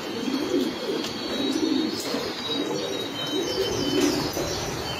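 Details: Repeated low, purring coos from racing pigeons kept in a loft, four or five rounded phrases roughly every second, with scattered thin chirps and rustling behind.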